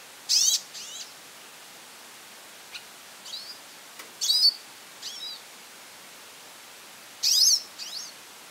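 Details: Goldfinch calling insistently, with about twenty high call bursts a minute: loud, buzzy, sweeping phrases each followed by a softer descending echo-like note, plus scattered single chips, over faint hiss.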